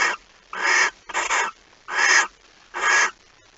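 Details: Barn owl at a nest at 05:14 on 26 August 2019, as the night's second mouse is brought in: five harsh, breathy hissing bursts in under four seconds, each about a third of a second long, with quiet gaps between.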